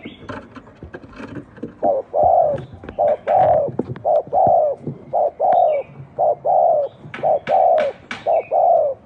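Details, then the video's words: Spotted dove giving an unusual cooing series: about ten low, hollow coos in a steady rhythm of roughly one per second, with clicking and tapping noises, busiest at the start. "tiếng chim cu gáy gù độc lạ"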